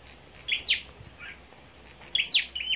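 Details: Scarlet-backed flowerpecker among a gathering of birds singing competitively on the morning of 10 May: two short bursts of high, sharp descending notes, with a steady high-pitched whine throughout.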